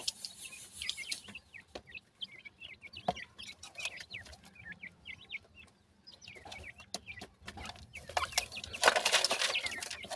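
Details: Grey francolin chicks at feeding time: a busy stream of short, high chirps and upswept peeps, overlapping and irregular, with sharp clicks and a louder burst of hissing noise near the end.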